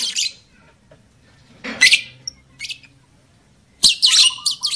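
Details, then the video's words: Lovebird call played to raise breeding drive in male and female birds: scattered harsh, high screeches, with a long dense burst of rasping chatter near the end and a faint low hum beneath. "SUARA PANCINGAN UNTUK MENAIKAN BIRAHI EMOSI JANTAN DAN JEBOL BIRAHI LOVEBIRD BETINA"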